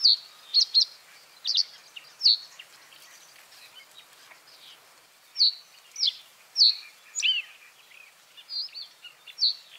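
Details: A common reed bunting (Emberiza schoeniclus), a European bird, gives short, high, chipping notes in small clusters of two or three, spaced irregularly with pauses of a second or more, over faint background hiss.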